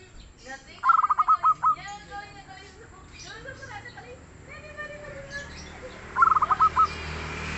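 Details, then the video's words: Mellow-voiced local zebra dove, stated to sing freely, giving two bursts of stuttering coos that stretch into longer notes. Human talk fills the gap between the bursts. "SUARA BURUNG PERKUTUT LOKAL YANG GACOR DAN EMPUK"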